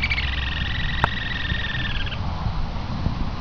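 Green-tailed jacamar giving a thin, fast, slightly falling trill lasting about two seconds, over a low rumble of background noise with one sharp click.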